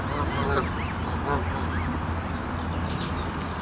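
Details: Adult geese with goslings on a lake in Central Park, anxious over other geese elsewhere on the lake: two short, nasal, harmonic honks about a second apart, over steady low rumbling background noise.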